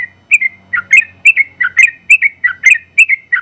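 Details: Competition-winning yellow-vented bulbul in full, long-running song for training other birds: a steady chain of clear, liquid, slurred whistles repeated roughly three times a second with little variation, over a faint low hum.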